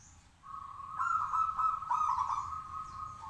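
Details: Local zebra dove singing in a cage to draw answers from other birds; one long, steady, purring trill held for nearly three seconds, with faint chirps of other birds behind.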